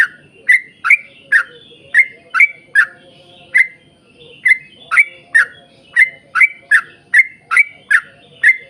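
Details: A yellow-vented bulbul delivers long 'ropel panjang' song for luring other bulbuls into song: crisp, liquid chirps repeated at a brisk, slightly irregular pace, with a short gap midway before the series resumes.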